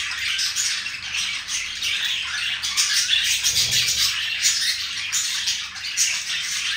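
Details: Budgerigar pair showing affection, soft continuous warble of scratchy chirps and tiny whistles, with a brief low rumble midway.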